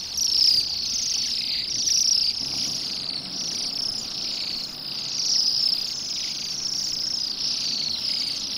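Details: Bohemian waxwings in December, stripping rowan berries beside a road in Pushkin near St Petersburg, Russia; a dense, cheerful twitter of high buzzy trills from many birds, constant throughout, with gentle rises in loudness.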